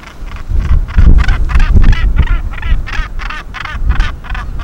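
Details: Northern gannets at the Bempton Cliffs breeding colony in breeding season, busy with breeding duties: harsh, rasping calls repeated rapidly in overlapping bursts, with heavy low wind rumble beneath.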